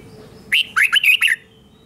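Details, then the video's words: Red-whiskered bulbul, a cage bird, delivering its doubled song for young birds to copy: one quick phrase of five bright, bouncing whistled notes, rising and dipping, followed by silence. "นกกรงหัวจุกเบิ้ล 1000000% สอนลูกนก ก็อปติดง่าย"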